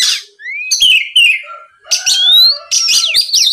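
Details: Oriental magpie-robin song played to goad rivals into singing: a harsh rasp, then long sliding whistles and rising clear notes ending in a scratchy chatter.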